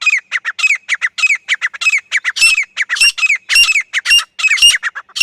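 Grey francolin female giving rapid, harsh, squeaky notes in a fast rattling series, several per second, loud and grating with no other sounds.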